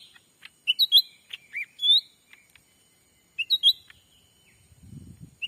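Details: Lure call of the black-capped bulbul, played to draw wild birds in Sumatran forest: scattered bright chirps and short slurred whistles in two loose groups, then a brief low rustle near the end.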